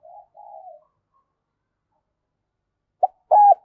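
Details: , quiet decoy spotted dove cooing: two soft low hoots, a long silence, then a loud burst of clipped coos ending in a sustained, slightly falling note.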